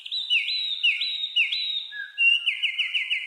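A wren's bright, rapid song: high rising whistled notes, then a fast trill of repeated chips, loud and continuous throughout.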